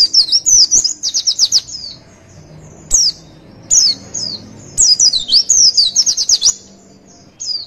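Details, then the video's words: Rapid high twittering from a Javan white-eye, a lure recording meant to draw replies from kept birds: fast chattering runs of slurred chirps, then brief single notes and two more chirpy bursts. "MASTERAN DAN PANCINGAN PLECI DIJAMIN NYAUT DAN NGREKAM COCOK UNTUK MENCETAK PLECI JAWARA"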